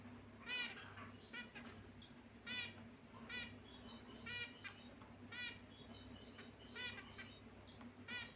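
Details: Several caged finches call and play, their short nasal chirps repeating in clustered bursts every second or so throughout, over a steady low hum.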